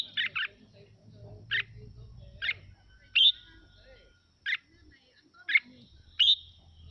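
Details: Red-whiskered bulbul of the Mào Mộc type singing, used to provoke other birds into song: quick doubled chirps then single sharp notes and whistled slurs roughly every second, faint low murmur behind.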